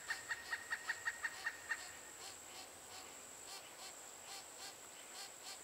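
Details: Female Pileated Woodpecker chick calling from its nest cavity in Chassahowitzka WMA, near fledging, while adults coax it to leave; eight short, evenly spaced mid-pitched notes in under two seconds, then fading, over a steady high insect hum.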